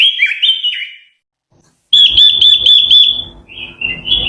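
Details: Japanese white-eye song used to lure birds: a high, sweet warbled phrase, a brief pause, then a fast series of thin, bright repeated notes at about four per second, followed by softer twittering.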